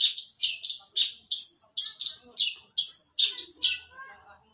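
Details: Long-tailed shrike in fighting mode, sparrow-voice suara gereja song: loud, high, sharp chirps with upward flicks, given roughly one to two per second, then a fading end.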